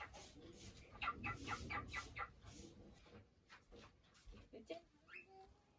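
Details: Indoor male cockatiel in his cage, talking while waiting for play time during cleaning: a quick series of chirpy, speech-like syllables, then softer clicks and small tapping sounds.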